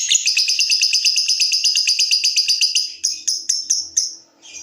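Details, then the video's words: Lovebird trilling song used as a lure for other lovebirds: a long, rapid, pulsing high chatter lasting three seconds, ending in slower separate ticks. "Suara Burung LOVEBIRD dimulai NGETIK lanjut NGEKEK"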